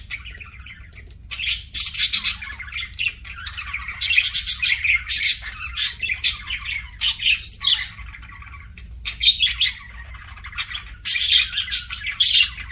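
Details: Parakeet chattering as it eats, dense runs of harsh, buzzy chirps and squawks in long bursts broken by short pauses, over a faint low hum.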